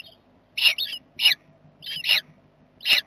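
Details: Jackdaws at their nest box on 7 May, a box a Barn Owl visits most nights trying to evict them. Short harsh calls repeated at uneven intervals, five bursts in about three seconds.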